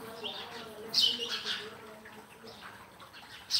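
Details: Sparrow chirping: short high bright chirps in a quick cluster, a few more after a pause, and another at the close, over a low hum of background noise.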